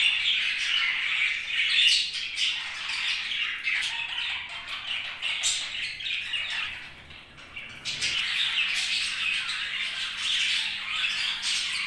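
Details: Happy budgerigar chirping: a steady stream of high warbling chatter and squeaky notes, dipping quieter near the middle before the busy chatter resumes, with faint flutter-like rustles.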